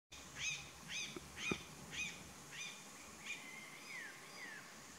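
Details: A mountain cacique at Vereda La Cristalina, Neira, Caldas, at 2400 m altitude, gives a run of short, bright, nasal calls about twice a second, ending in a few falling whistled notes, over soft hiss.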